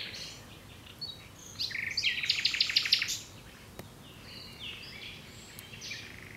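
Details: Common nightingale song with a loud burst of quickly repeated sharp notes in the middle, framed by quieter varied chirps and buzzes, above a faint steady low hum.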